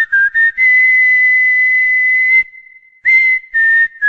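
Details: Cockatiel whistling part of the Corinthians anthem, with a long, steady, pure whistled note framed by short, clipped whistles before and after a brief gap.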